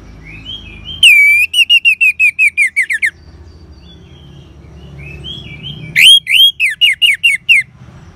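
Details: Orange-headed thrush, kept as a cage bird, singing to stimulate other caged birds: two loud bursts of about eight rapid, repeated whistled-buzzy notes, each dropping slightly in pitch, separated by a quiet gap with faint low hum.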